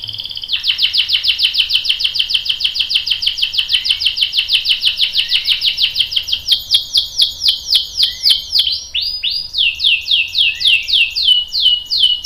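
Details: Canary song, a young male answering, in a long continuous roll of rapid buzzy trills at about three to four notes per second, shifting after eight seconds into slower downslurred whistled notes.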